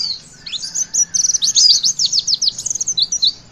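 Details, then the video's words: High-pitched witwit twittering of a Javan white-eye, used to stimulate young birds to sing; a continuous, rapid stream of sharp chirps and fast downslurred notes, loudest in the middle, over faint low hum. "Pleci Bakalan Ikutan WITWIT ga pake lama Bikin Gacor!!!"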